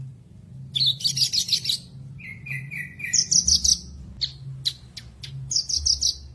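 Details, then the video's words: Javan bush lark tutor song for birds that stop singing after moult or stress: high buzzy trilled bursts of rapid notes, a lower run of four whistled notes, and scattered sharp clicks, with a faint low hum underneath. "MASTERAN BURUNG BRANJANGAN MACET BUNYI"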